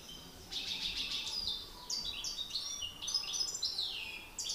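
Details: European goldfinch males singing against each other in a contest: bright twittering phrases of high chirps and short buzzy trills, slightly fainter, with faint background hum.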